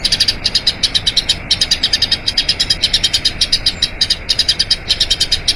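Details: A Eurasian tree sparrow sings its long rolling training song, a quick even series of sharp high chirps about eight per second, with short gaps splitting the runs.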